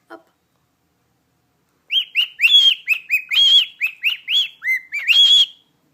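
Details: Cockatiel kept as a pet, whistling "Jingle Bells" for its owner. A series of quick arched whistles and longer held tones begins after a pause of near silence, the notes coming in a rhythmic, tune-like run.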